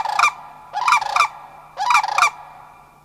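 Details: Family group of Sandhill Cranes at Far North Bicentennial Park, Anchorage, Alaska, responding to overflying cranes; three clustered bursts of rolling, guttural trumpet notes, each of two or three pulses, about one second apart.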